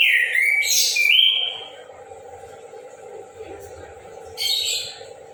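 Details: In the morning an orange-headed thrush sings out freely: a long whistled phrase rising and then sliding down, a quiet gap, then a short scratchy burst, all over a continuous low hum.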